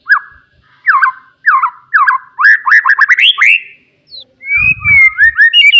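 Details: Wild forest white-rumped shama giving loud song meant to provoke rivals: a run of repeated downward-hooked whistled notes, then rising slurred phrases and a long wavering high whistle.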